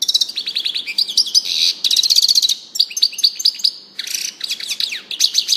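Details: Continuous European goldfinch song of bubbling high twitters, a clear trilled run, sharp repeated chips and a rough buzzy phrase, delivered almost without a break.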